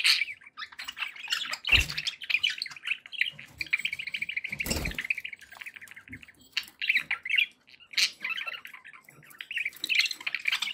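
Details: Happy budgies in steady warbling chatter, a continuous buzzy stream of chirps with a few louder clicks and tapping sounds breaking through, including one near five seconds.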